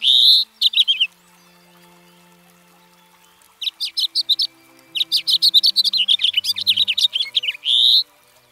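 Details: House finch song in bursts of high, quick chirping and warbled notes, with a long pause before a rapid run of sharp twittering phrases that end in a sustained buzzy note.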